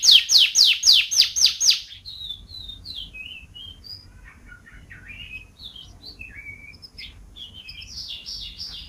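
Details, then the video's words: Champion canary from an Indonesian compilation of varied song styles, fast to slow: opens with seven loud rapid descending chirps about four per second, then softer scattered whistled and trilled notes rising and falling. "KUMPULAN SUARA KENARI GACOR BERBAGAI VARIASI DAN GAYA !"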